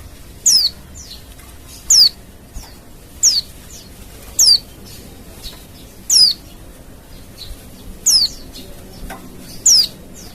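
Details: Wild Oriental white-eye, meant to trigger an immediate answer from other white-eyes: a steady series of eight sharp, high, falling whistled notes about every one and a half seconds. Softer secondary chirps sit between them.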